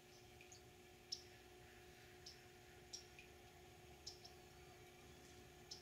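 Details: Rufous hummingbird wintering at feeders and native nectar plants in San Benito, deep South Texas, giving sharp, high, dry chips, single or paired, spaced unevenly every one to two seconds over a low steady hum.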